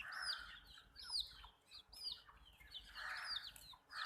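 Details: Baby chickens drinking water, giving high, downward-sliding peeps in short bursts, with a softer rushing hiss under the calls at the start and near the end.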